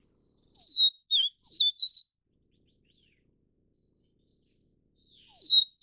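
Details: Vivid Niltava, subspecies Niltava vivida vivida, endemic to Taiwan, giving a quick run of four high, clear whistled notes, some slurred down, then one more after a pause; otherwise quiet.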